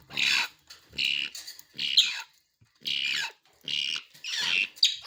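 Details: Grey parrot chicks at Noida, India: rough, grating squawks repeated in roughly half-second bursts with short gaps, noisy and wide-band throughout.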